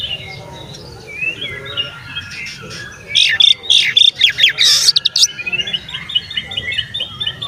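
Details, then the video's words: Oriental magpie-robin singing to provoke rival magpie-robins: soft scattered whistles at first, then a loud run of sharp rapid chattering notes and whistles, followed by quieter repeated whistled phrases over a low background hum. "SUARA BURUNG KACER GACOR ngeplay santai MANGGIL kacer auto KONSLET buka ekor TERAPI KACER agar EMOSI"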